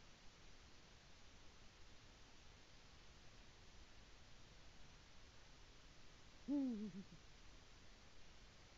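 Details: Eurasian eagle-owl male arriving at the nest and calling his mate, recorded 22 February 2018 on a nest livestream; one short, low, hoarse call rising then falling near the end, otherwise only steady quiet hiss.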